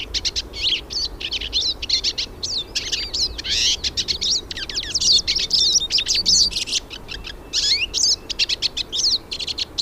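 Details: A chorus of hooded siskins singing in nature: an unbroken stream of rapid high twitters, buzzy chirps and sliding whistles from several birds at once.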